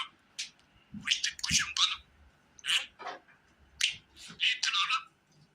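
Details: A pet budgerigar talking, chattering in quick, bright, scratchy bursts of mimicked talk and clicks.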